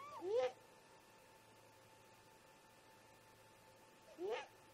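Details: Two great grey owl parents conversing at dawn by their snag nest, near 04:25 MDT: two sharp upward-sweeping squeals about four seconds apart, separated by near silence apart from a steady background hum.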